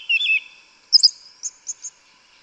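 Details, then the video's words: Yellow-legged thrush (sabiá-una) in Brazilian forest, singing the 'canto mateiro' forest song: a low warbled phrase, then a high twittering note and three short, spaced, clear chips. "Sabiá Una cantando no mato. Lindo canto mateiro da sabiá preta"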